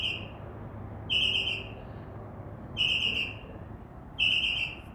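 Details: Northern mockingbird singing by a window at a tree it visited for under a week: four flat, slightly buzzy whistled notes, each about half a second long and spaced about 1.5 seconds apart.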